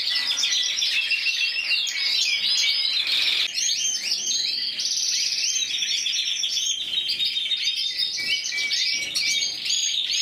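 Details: Intense yellow canary, a Spanish champion of 2014 scored 94 points in individual competition, singing a dense, continuous stream of rapid high chirps, trills and rolling notes without pause.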